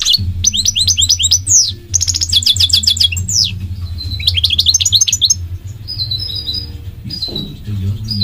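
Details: A goldfinch's song of quick, liquid, high-pitched twitters and fast repeated trill notes, broken by short pauses, with a few longer whistled notes near the end; a constant low hum runs beneath.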